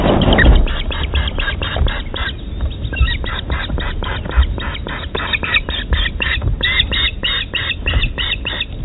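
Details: Ospreys at the Dyfi Osprey Project nest during a feeding on 23 June 2020, with an incident involving a stick. Rapid series of harsh, buzzy, stacked notes about five per second over steady low rumbling background noise.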